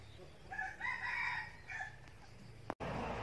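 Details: Escaped captive decoy male Red junglefowl, apparently drawn off by the call of love, at a junglefowl farm in Bom Bo, Bình Phước, Vietnam, gives one short, hoarse crow in a few harsh rising and falling phrases, cut off quickly, then a sharp click and rustling.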